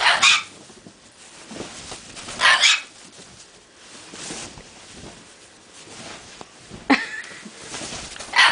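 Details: A pet male bare-eyed cockatoo, riding on the bedsheets as the bed is made, gives four harsh, raspy squawks a few seconds apart, with a person talking quietly and soft rustling in between.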